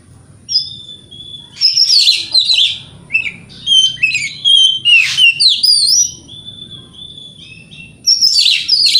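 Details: White-rumped shama in a morning provocation song for rival birds: rich rapid medley of clear whistles, sweeping upslurs and scratchy rasps, nearly continuous phrases with one short pause.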